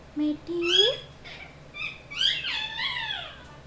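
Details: Pet parrot imitating words: a flat low tone, then rising whistled, speech-like syllables and a longer sweeping, wavering phrase, with faint low hum in the background.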